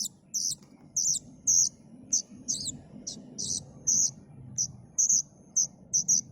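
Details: A plaintive cuckoo chick gives about a dozen brief, piercing, slightly buzzy notes. They are irregularly spaced, near two per second, over a soft low rumble.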